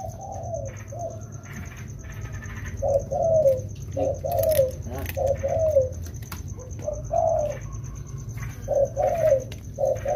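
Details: Spotted doves, two wild-caught birds in rainy-season training, give mellow cooing phrases in bursts separated by pauses, with faint clicks and a constant high-pitched electrical tone behind.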